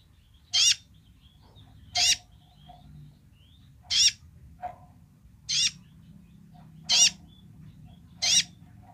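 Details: Kolibri ninja sunbird in full voice giving its basic song: strident, scratchy high bursts, six in nine seconds at uneven spacing, with brief softer mid-pitched notes and a steady low rumble behind.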